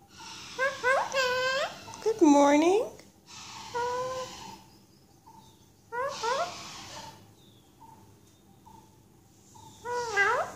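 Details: Pet female Alexandrine parakeet indoors early in the morning, chatting with her owner after waking her. Clusters of squawky, bending, harmonic notes come in bursts near the start, middle and end, with quiet gaps between them. Another parrot is noisy in the background.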